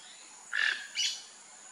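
Rufous-tailed jacamar giving two sharp, high calls: a thin whistled note with a buzzy edge, then a brighter rising one, over a steady background hiss.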